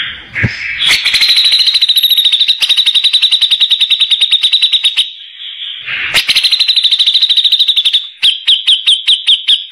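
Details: Rough-voiced grey-cheeked bulbul used to tutor white-rumped shamas: long fast high trills of chipping notes, cut by a loud harsh burst midway, ending in slower spaced sharp notes.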